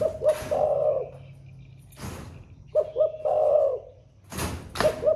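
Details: Caged spotted dove singing in the thổ pha voice style, said to coo all day: two low coo phrases, each two short clipped notes then a long throbbing coo, split by loud clattering knocks.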